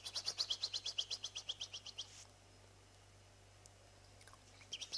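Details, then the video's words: Seven-day-old European goldfinch chicks begging while being fed: a rapid run of high, thin squeaky cheeps, about eight per second for two seconds, then quiet, then a brief final burst of cheeps. "nourrissage oisillonx ( chardonnerets 7 jours )"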